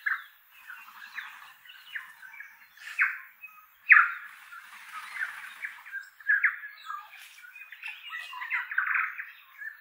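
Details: Wild tui flock exploring an oak tree in a native bush valley, inland Kapiti, New Zealand; varied song of gurgles, clear notes and wheezy squeaks, several birds overlapping in uneven bursts.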